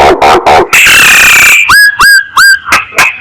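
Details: Lure call of a myna: harsh chattering notes and a long grating rasp, then three clear upslurred whistles and shorter bright notes.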